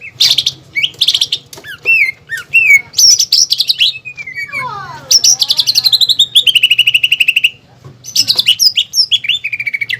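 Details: Greater green leafbird gacor song with pelatuk bawang fill, used as a training master for caged birds: looping whistled swoops, a descending cascade of notes, and fast rattling trills, over a faint low hum.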